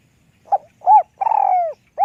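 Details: Small-voiced spotted dove in lûk kòk style. A soft short coo and a rounded hoot lead to a long fluttering coo sliding lower, and the last coo starts just as the sound cuts off. The background is quiet.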